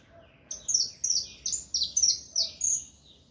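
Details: Rapid saffron finch song: seven or eight loud, high, bright chirps in quick succession over about two and a half seconds, each note a sharp falling slur, against a quiet background.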